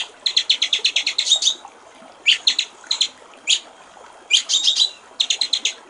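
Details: Murai batu, the white-rumped shama, sings a clear 'gericik air' master song: a quick string of about a dozen bright staccato notes, then a silent gap and scattered single sharp notes and short rattling bursts.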